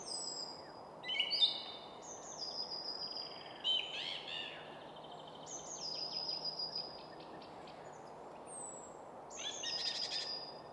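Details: Full song of a song thrush on top of a spruce in quiet woodland at Väsby sjöäng, Sweden, near Stockholm; varied phrases of thin high whistles, chirps and quick rattling notes with pauses between, over a low steady traffic hum.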